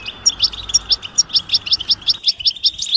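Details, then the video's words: European goldfinch 'betbeta' chatter, mating and readiness calls meant to make a silent male sing; crisp high notes repeated about once a second, each a quick liquid chip-twitter, fairly even, over faint background hum. "حسونك صامت لا يغرد أسمعه هذه البتبتة 💯💪💪 نذاءات التزاوج والتجهيز"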